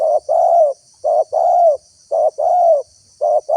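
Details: Spotted dove lure call to make wild doves come and call: paired low coos, short then long and gently arched, repeated roughly once a second in an even rhythm.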